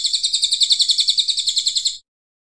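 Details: Brown cililin singing, recorded as practice song for competition birds: a fast, even trill of sharp, high chattering notes that runs for about two seconds, then stops abruptly into silence.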